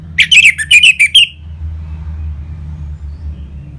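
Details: Caged orange-headed thrush, played to set other birds singing: a quick burst of about seven sharp whistled chirps over a second, then quiet. A low rumble like traffic continues throughout.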